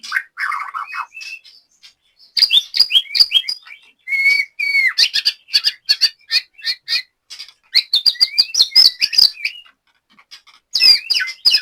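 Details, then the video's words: Captive white-rumped shama from Banyumas, Central Java, Indonesia, delivering long stretches of rapid, varied song: staccato notes, looping whistles and high chattering phrases separated by short pauses. "BURUNG LATBER MURAI BATU JAMBRET"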